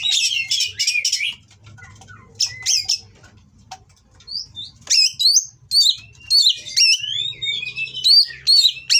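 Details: Captive Oriental magpie-robin, kacer kawin type, from a breeding aviary, delivering harsh provoking song: scratchy bursts, a pause of scattered ticks, then lively whistled slurs and chattering phrases with faint low rumble behind.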